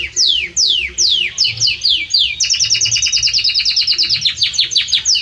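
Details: Powerful song of a Belgian canary, opening with a series of loud descending swept whistles that run into a fast, rhythmic trill of short repeated notes.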